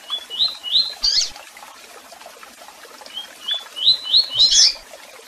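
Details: Double-collared seedeater song with chirps: three rising whistled notes ending in a loud buzzy burst, a pause of soft hiss, then the phrase repeats with four notes.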